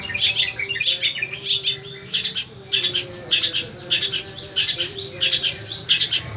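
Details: Long-tailed shrike singing its strong, repeated 'tembakan' phrases: harsh, squawky high bursts in clusters of two or three, separated by brief gaps, with faint low steady tones.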